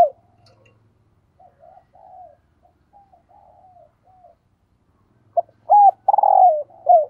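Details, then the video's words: Decoy spotted dove giving urging 'thúc gù' coos. Several seconds of quiet, wavering soft coos lead into a sudden loud phrase of a clipped note, an arched coo and a long falling rolled coo. A faint low hum sits underneath. "Tiếng Chim Cu Gáy Thúc Gù - Chim Cu Mồi"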